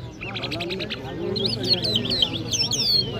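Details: In Kabul, Afghanistan, an Iranian Mashhadi jal songbird sings: soft stuttered notes open, then looping high warbles and falling whistled slurs, with low background voices.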